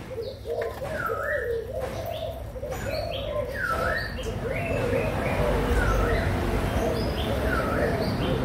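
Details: Spotted doves, young birds of Malaysian and Thai stock, June 2021: a continuous mass of soft, low, overlapping coos with a clear dipping whistle from another bird repeated about every one and a half seconds.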